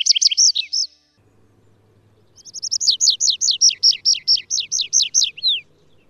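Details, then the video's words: Atlantic canary (Serinus canaria) song: a quick twittering phrase, a pause, then a bright run of about a dozen fast, repeated down-slurred notes, high and ringing. "Canario silvestre (Serinus canaria) Canto"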